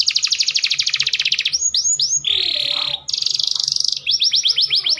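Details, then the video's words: Kept canary in mating song used by a breeder to speed pairing and stimulate listless males: long fast buzzing trill, short whistled slurs, a harsh held rattle, another rapid trill, then quick upswept notes. "Kicauan Kenari Kawin Paling Ampuh Menaikkan Birahi Pejantan Loyo"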